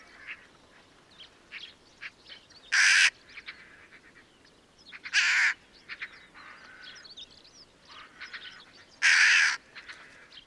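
A Daurian Jackdaw gives three loud, harsh, barking caws spaced a few seconds apart, with softer chattering calls from other birds in between.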